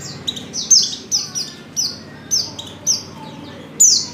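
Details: Calling to a male, a female white-eye in heat gives a series of about eight thin, high, falling chirps at irregular short intervals.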